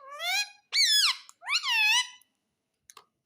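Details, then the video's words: Talking pet parrot imitating human words such as mummy and papa: three drawn-out nasal, speech-like phrases with gliding, wavering pitch, then two faint clicks after a pause, recorded indoors with no other sounds. "Mummy papa Bolta Parrot || Pyaare mitthu ki roti do|| Talking Parrot"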